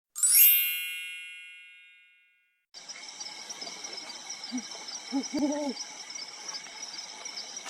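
Brown wood owl giving a few low, soft hoots in a short quick run, after an opening chime, over a steady high insect hiss.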